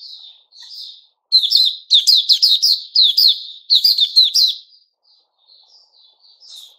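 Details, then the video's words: Singing white-rumped shama, 29 August 2021: a quiet soft warble, a brief pause, then a burst of rapid ringing whistled notes in quick groups, ending in faint scattered twitters. "Puteh Raja Sing Buka"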